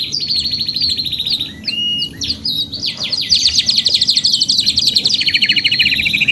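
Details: Canary in full song: fast buzzy high trills alternating with short rising and falling whistled phrases, one long rolling run after another, sung with barely any break.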